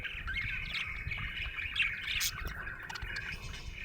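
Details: Happy pet budgerigar giving continuous chattering warble, fast squeaky notes running together without pause, with faint low background noise.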